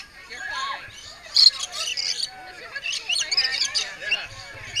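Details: Squabbling lorikeets being fed produce dense, piercing screeches and scratchy chatter in rapid bursts, a human voice audible in the background.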